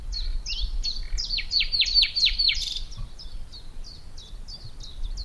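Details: A Common Nightingale singing by day in Portugal, never seeming to repeat a phrase: a rich, varied phrase of rapid descending whistles and sharp notes, then softer repeated chirps, with other birds singing faintly behind.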